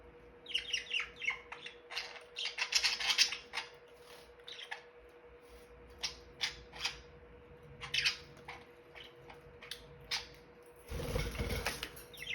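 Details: Several pet budgerigars snack and preen while giving soft, scratchy, gentle chirps and brief squawky notes in irregular bursts.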